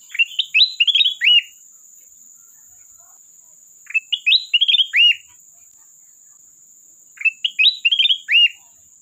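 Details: Sooty-headed bulbul calling a rival with three identical bright, chortling whistled phrases, each ending in a falling slur, spaced about three and a half seconds apart, with a thin steady high whine in the background.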